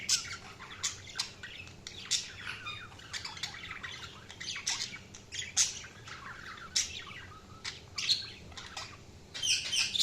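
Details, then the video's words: Sharp, clicky chirps and fast twittering from budgerigars, with short notes scattered across ten seconds of steady chatter. "Budgies Chirping sound"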